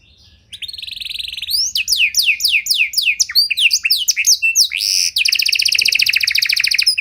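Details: Panda canary singing a luxurious song pattern to bait and train other canaries: a short buzzy note, a run of rising whistled slurs, then a long fast metallic trill.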